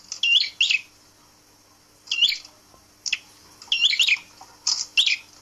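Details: A red-headed prinia gives sharp, high chirps in short clusters of two or three, spaced about a second apart, with quiet gaps between bursts, as it is hung out on display to tame it quickly.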